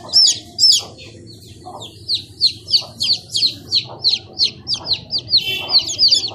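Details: Chicken chicks cheep in bright, high, downward-sliding notes, first spaced out, then crowding into a fast overlapping chatter of several birds, one note slightly buzzy, over a low hum.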